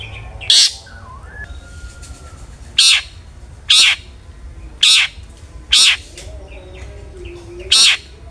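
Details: Rasping, broadband calls of a long-tailed shrike in 'ngeplong' style, a lure to make other shrikes sing. Notes come in irregular spacing, with faint thin whistles and chirps behind.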